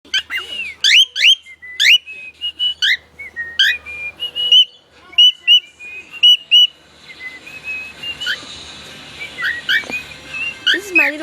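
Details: Pet male bird singing indoors: a quick run of clear, slurred whistled notes, some rising and some falling, then a steadier, rougher stretch with scattered whistles and a low background hiss.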